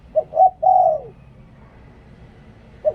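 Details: Spotted dove used as a decoy bird, giving one full cooing phrase: a brief note, a second rounded note, then a long falling coo, followed by quiet and the start of the next phrase.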